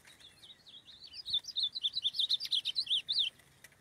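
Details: Wild male ultramarine grosbeak (azulão), free in the forest and fired up during mating with a female, delivers a rapid warbled phrase of sweet, slurred notes rising and falling, about four per second for nearly two seconds, over low background hiss.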